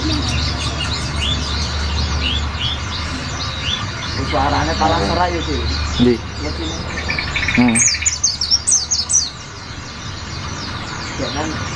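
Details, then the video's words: Olive-backed sunbird chattering high notes used to tutor white-eyes: continuous thin, falling twitters with a burst of rapid downslurred notes near the end. Lower trilled bird-like sounds and a background drone are also present. "SUARA BURUNG SRIGANTI / SOGOK ONTONG ISIAN PLECI !!!"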